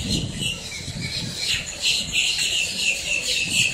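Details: Up-close blackbirds in Miami, Florida, raising a racket, with rapid, jumbled squawks and squeaky notes pouring out several times a second over faint low rumble.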